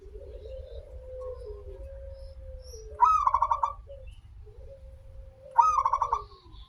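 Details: Local zebra dove song meant to coax other doves to sing: two phrases roughly two and a half seconds apart, each a sharp note then a quick trill of bubbling coos, with a long low steady tone before them.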